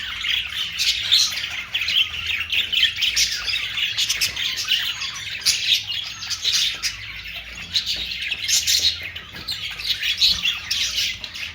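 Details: Budgerigars chattering without pause, a dense mix of warbled chirps, squeaks and harsh notes with several birds calling over one another throughout.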